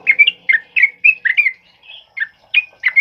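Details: Loud 'ropel uplik' song of a sooty-headed bulbul, used as training song for other birds, heavy rain stated; about ten quick whistled, bubbly notes with uneven spacing, mostly clean.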